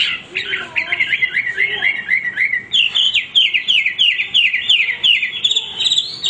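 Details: Non-stop Hwamei song: mixed varied whistles open, then a long, lively string of quick repeated sliding notes, several each second, climbing higher toward the end.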